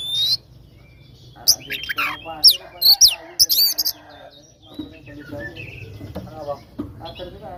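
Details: Oriental magpie-robin in fighting song used as a lure to provoke rivals: one short whistle, then about two seconds of sharp, high chirps and slurs, fading into a quiet, muffled stretch with faint background noise.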